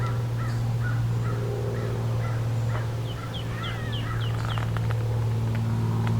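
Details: Gray Catbird in Beverly Swamp, Flamborough, Ontario, Canada, at the 2024 summer solstice, giving its short, slurred cat-like meow calls over a steady low hum of passing airplanes, with other thin bird notes higher up.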